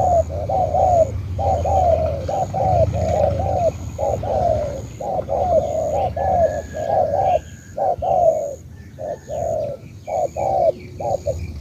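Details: Spotted dove from Cà Mau, Vietnam, cooing almost without a break: mellow, low hooting notes in close pairs and short runs, with a faint steady high hum behind.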